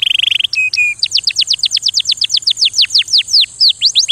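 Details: Singing canary: a quick buzzy trill, two short flat whistles, then a long steady series of falling whistled notes repeated several times a second, slowing slightly toward the end; low hum in the background.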